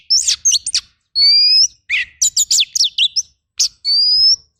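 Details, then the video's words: Rough 'tembakan kasar' fill-in song of the oriental magpie-robin for training. Quick twisting chirps are followed by two long, level, upward-drifting whistles with a scratchy trill between them. "MASTERAN KACER FULL TEMBAKAN KASAR"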